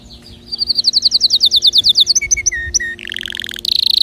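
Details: Canary singing to encourage other birds to sing, with a fast run of clear repeated notes, then lower drawn-out whistles, a buzzy trill and a final high rapid rattle.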